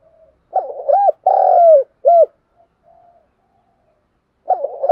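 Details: Spotted dove decoy calling in the morning: a low cooing phrase of a short rolling coo, a longer drawn-out coo and a final brief coo, then silence before the next phrase begins.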